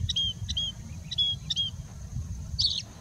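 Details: Singing bushlark in India mimicking other birds within its song: a few thin high whistled notes about every half second, then a brief buzzy burst, over steady low rumble.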